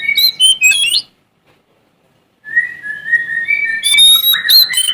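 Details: A Sumatran Oriental magpie-robin sings a varied run of clear, high whistles and rising notes, broken by a pause of over a second before a sustained whistled phrase.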